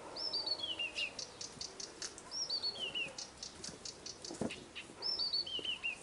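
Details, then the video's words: Nightingale song from a dacha in Russia's Irkutsk region, a cascade of high whistled notes stepping downward, given three times about every two and a half seconds, with rapid ticking clicks between phrases. "Пение соловья в Иркутской области. Singing nightingale in the Irkutsk region."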